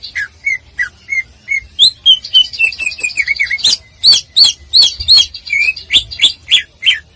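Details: Training song of a greater green leafbird for bird-singing contests. Fast, varied phrase of whistled slurs, buzzy rattles and loud sweeping notes, about three a second, clear and close.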